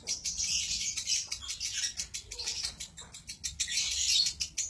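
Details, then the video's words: Lovebird singing in the long 'konslet' style: dense, rapid, buzzy high chatter with sharp clicking notes, continuing almost without pause through the whole stretch, with a faint low background hum. "Suara burung Lovebird konslett"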